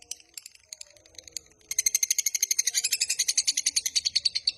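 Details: Lovebird long chatter for luring and training: scattered thin chips, then from nearly two seconds a loud, shrill, quickly pulsed trill that continues to the end.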